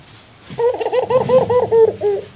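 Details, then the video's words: Puter dove giving a rare laughing call: a rapid run of short pulsed coo notes chattering like laughter, rising and falling over about two seconds. "Suara ketawa burung puter,suara paling langka"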